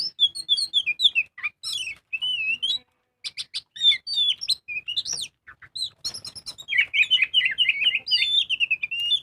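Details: Lure recording of a lively Oriental magpie-robin: clear whistled notes, downslurs and buzzy chatter, a short pause, then rapid warbling trills continuing to the end.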